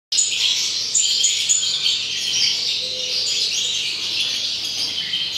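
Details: European goldfinches, recorded in 2019, singing a rapid, continuous twittering of bright, tinkling notes, with short high whistles near the start and a steady low hum underneath.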